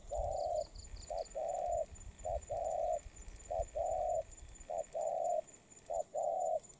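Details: Molting spotted dove of the Đồng Pha voice style, recently taken from the wild. Mellow, low coos come in pairs of one brief note then one long drawn note, repeated about every second, with faint high chirps at the start.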